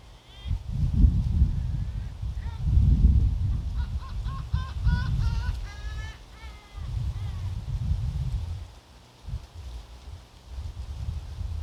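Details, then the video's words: Gulls on the windy seaside walkway at Oepo Port, Ganghwa Island, Korea: a burst of quick, clipped, harmonic cries in the middle stretch, framed by a few isolated calls, while strong gusts buffet the microphone. "갈매기 울음소리"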